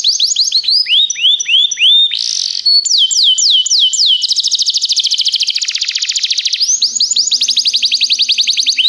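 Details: Canary song meant for training other canaries: looping whistled notes, a brief harsh buzz, then very fast rattling trills and renewed swooping phrases, with a faint low hum near the end.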